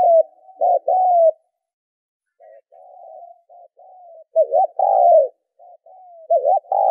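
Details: Spotted dove cooing, a recording used as a lure to stimulate and train decoy birds in Vietnam: low, mellow coos, soft short notes, then a loud two-part coo running into a long drawn coo, with another loud coo at the end.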